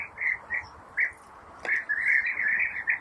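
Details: European bee-eaters at their nest burrows while feeding young, giving rolling, burry mid-pitched calls, first as short separate notes, then as a near-continuous run of trilled calls.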